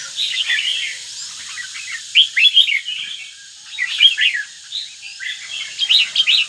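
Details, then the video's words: Red-whiskered bulbul, northern type starting its third moult, sings bursts of bright, chattering, warbled notes in quick phrases about every two seconds against a quiet background. "Chào mào bắc, lân tê mặt quỷ"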